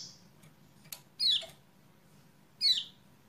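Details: Kecial kuning lure call for a silent caged bird; two clear downward-slurred chirps about 1.4 seconds apart, with a click, a fading earlier note and low background hum.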